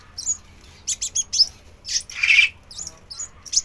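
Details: Crimson sunbird singing while dancing: quick high chips and thin twittered notes in short groups, then a longer harsh buzzy burst, followed by more scattered high chips.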